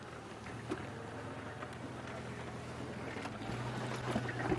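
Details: Steady vehicle engine rumble during an evening safari drive, with a low droning hum and faint scattered clicks, rising slightly in loudness toward the end.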